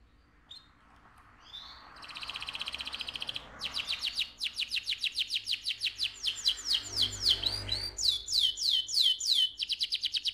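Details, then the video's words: Loud, busy AF canary song. Short whistled notes lead into long, rapid rolling trills of fast repeated notes. The tone shifts between phrases, with swooping, sharply pulsed sections near the end. "KENARI AF GACOR, NGEROL VOLUME KERAS"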